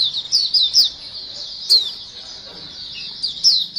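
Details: White-eyes in a lure recording of a lively group chorus, used to attract other white-eyes: high, thin twittering chirps in quick bursts over a steady shrill buzz of many birds, with a few sharper notes standing out.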